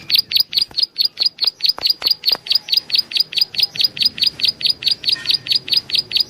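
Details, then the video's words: Prinia calling, recorded as a lure: a continuous rapid series of about twenty-seven sharp, high-pitched chirps at an even pace, with a few faint clicks early on. "suara burung prenjak Alang Alang || buat pancingan"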